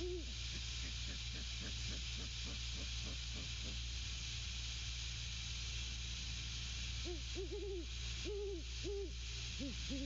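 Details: Nesting Great Horned Owl pair: opening hoot, then a run of soft rhythmic grunt-like pulses, quiet stretch, and finally a cluster of deep hoots; steady background hiss.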